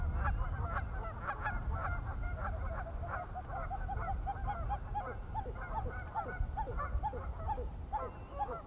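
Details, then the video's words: Pied-billed grebe swimming and calling: a long run of hollow, honking notes, several per second, later notes slurring downward, over a low rumble of wind or water. "Pied-billed Grebe Swimming & Calling"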